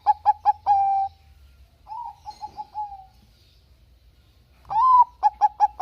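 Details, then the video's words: Singing Bangkok-type zebra dove on a lure recording for lazy doves: quick bouncing notes ending in a level coo, a quieter wavering phrase, then a loud arched coo followed by four crisp, evenly spaced staccato notes. "Pancingan Perkutut Bangkok Gacor - suara Kutut Bangkok Gacor ini paling AMPUH bikin Bunyi yang Malas"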